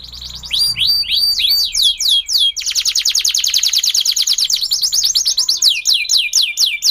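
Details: A domestic Belgian canary sings its standard, natural canary song: quick upslurred whistles, then a long, fast, even rattling trill, ending in more sweeping notes.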